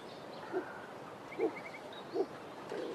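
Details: A Speckled Pigeon in a garden in the Eastern Cape, South Africa, gives three deep, hollow coos, each short and evenly spaced under a second apart, with faint high chirps from other birds behind.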